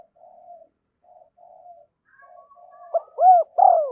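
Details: Spotted dove used as a decoy to lure wild birds: faint, low murmured notes at first, then two loud hollow coos near the end.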